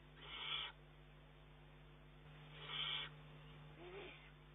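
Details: Juvenile Eurasian eagle-owl begging food from its mother, 19 June 2011, a youngster that already feeds itself yet snatches prey from her beak. Two loud, harsh hissing rasps about two seconds apart, then a fainter third, over steady low hum.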